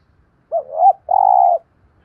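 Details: Spotted dove coo used for training decoy birds: a short rising-and-falling double note running into a long, steady, hoarse low coo, then silence.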